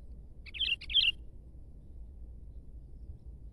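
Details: Sooty-headed bulbul; song; luring and provoking rival bulbuls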